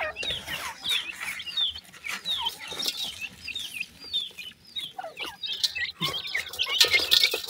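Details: Feeding baby pheasants, many chicks producing rapid high, falling peeps and chirps in dense overlapping runs, mixed with scratching and rustle.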